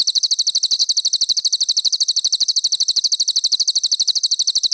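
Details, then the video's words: Cililin master song used for training competition birds such as magpie-robins and shamas: a steady, rapid run of high, sharp, clear chirps, about nine a second, continuing evenly for nearly five seconds with no other sounds. "Masteran Cililin Premium: Suara Gacor Juara untuk Burung Lomba!"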